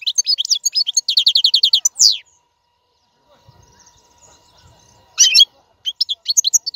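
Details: European goldfinch song meant for teaching young caged birds: a quick series of evenly repeated chirps ending in a downslurred note, then near silence with a faint hum, followed by short twittering bursts.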